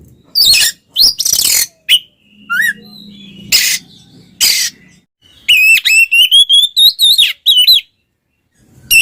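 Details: Oriental magpie-robin twins singing ngeplong to fire up silent birds: loud raspy crackling bursts open, then a long rapid series of repeated whistled notes rising slightly, with a low hum in the middle section.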